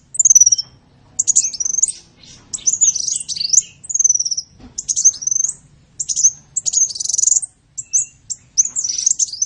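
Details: Sunbird singing for a songbird-training recording: shrill, high, scratchy twittering phrases with sharp squeaks and wavering whistles, delivered in irregular bursts separated by short silences, a faint low thump midway.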